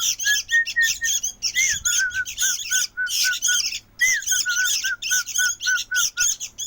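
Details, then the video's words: Noisy sooty-headed bulbul (kutilang) chick giving rapid, harsh, buzzy squawks about three to four times a second, mixed with short clear whistled notes repeated beneath them. "Ributnya ini Anakan burung Kutilang"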